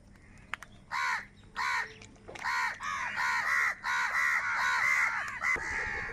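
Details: Crows fighting for food, recorded live: two separate harsh, buzzy caws, then a quick run of about eight rasping caws, one after another, with a few sharp clicks before them.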